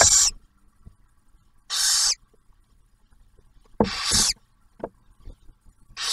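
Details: Barn owl at a nest-box camera at Ottawa National Wildlife Refuge near Oak Harbor, Ohio, where the male delivers food and the female shares a meal with the first hatched owlet; three harsh, breathy hissing screeches, each about half a second, spaced roughly two seconds apart.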